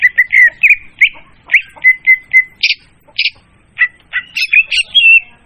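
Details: Leafbird lure for trapping, clear and loud: level whistled notes and short chirps, several sharp high clipped calls, then a fast varied warbling finish.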